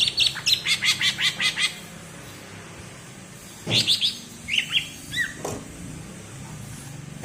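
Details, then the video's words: Bebeci-style song of a greater green leafbird (cucak ijo) from Alas Purwo, Banyuwangi: a rapid run of about eight high ticking notes, a pause, then scattered slurred chirps and whistles. "Suara Bebeci Khas Cucak Ijo Alas Purwo Banyuwangi"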